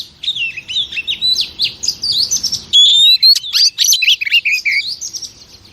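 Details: Female oriental magpie-robin, used to stimulate males: rich, varied high warble with slurred whistles and trills, a clear rising whistle midway, continuing in a busy medley.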